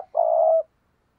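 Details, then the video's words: A single long, even coo from a spotted dove in the provoking 'thúc gù' style, played to make wild doves answer, preceded by the tail of an earlier note in a quiet setting. "Cu gáy thúc gù nghe rất hắp dẫn, giọng hay bổi nghe rất tức và gáy theo"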